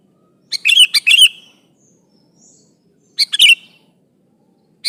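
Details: Sooty-headed bulbul, a prolific singer calling an opponent, gives bubbly phrases of two or three quick slurred notes separated by pauses of about two seconds, with a quiet background.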